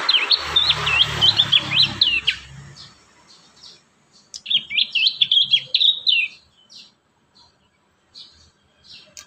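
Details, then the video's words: Prinia singing as a lure for young prinias: a fast string of repeated chirpy, zigzag notes over a low rumble, then after a pause another quick chattering series and a few faint ticks. "Masteran | pancingan burung prenjak muda | prenjak bakalan"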